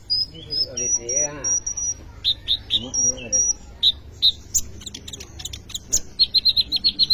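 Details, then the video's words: Sunbird, known locally as kolibri ninja, singing in full voice as a lure for training other birds; high thin whistled notes and rapid chips near the top of the range, ending in a fast run of repeated sharp notes, with faint lower sounds beneath. "kolibri ninja gacor cocok untuk pancingan atau maateran burung bahan"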